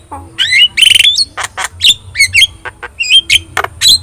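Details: Yellow-eyed Javan myna in energetic song for tutoring other birds: grating squawks mixed with bright, slurred whistles and short clicks, delivered in a quick, uneven chatter over a soft background hum.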